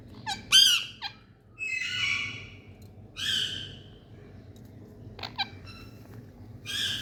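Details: Indian parrots playing: bursts of harsh, screechy squawks alternate with broader rasping calls and brief sharp notes, separated by short quiet gaps, over a faint low background hum.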